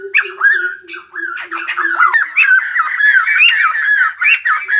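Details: White-crested laughingthrush singing while dancing, likened to a ballet dancer: a clamorous run of harsh, cackling notes with rising and falling inflections, delivered rapidly and unevenly, with a steady lower tone underneath for the first two seconds.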